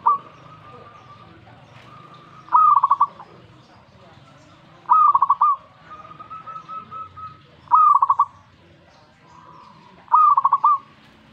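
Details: Zebra dove reacting to master song: five ringing phrases of stuttered coos, roughly every two and a half seconds, with steady faint whistled tones between them and a quiet background.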